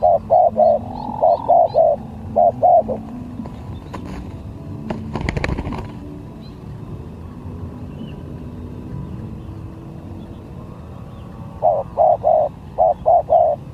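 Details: Spotted dove during a bird-luring skill contest, repeating phrases of short and longer hollow coos at the start and end, with a loud passing rumble and clatter in the middle.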